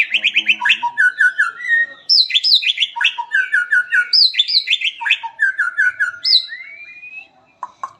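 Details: Rich-filled song of a white-rumped shama, long rolling and shooting style, used to tutor other shamas: rapid bursts of bright whistled notes stepping down in pitch, repeated several times, ending in a rising slur and a few clicks.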